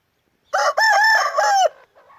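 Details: Aseel rooster crowing: a short opening note, then a long, loud, harsh drawn-out crow with a dip and swell before it breaks off, followed by faint trailing sounds.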